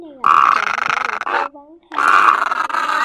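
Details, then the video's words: Night lure for migrating birds built from egret voices: a rasping, throaty croak, a brief pause with faint thin whistles, then a second harsh croak. "Tiếng Cò Mỏ Đen , Mỏ Vàng Cò Ngàng"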